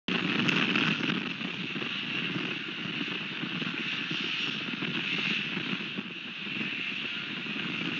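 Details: Continuous outdoor wind noise buffets the microphone throughout, with no animal calls heard.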